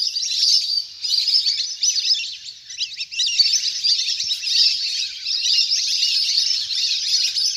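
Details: Big flock of ducks splashing and playing on water in the wild, a recording meant for luring birds to land; many shrill, twittering voices overlap in a steady chorus with brief dips in loudness.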